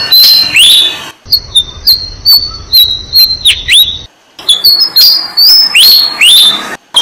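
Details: Malaysian pied fantail family at a jam tree nest, parents feeding six-day-old chicks: sharp high whistled notes, some sliding down, others short upward flicks, in quick bursts broken by a brief pause near the start.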